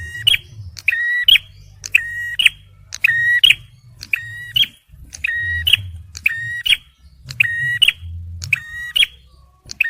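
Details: Male bar-winged prinia, a recording used for luring and prompting stressed birds. Rapid phrases each open with a click and hold a steady tone with bright overtones, then end in a sharp higher note. They repeat about every second over a low rumble.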